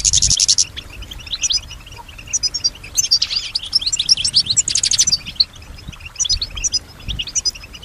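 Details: European goldfinch hen kept in captivity, said to mimic the sounds around her, opens with a dry rattling buzz, then sings bubbling high twitters broken by a second buzzy rattle and scattered chirps.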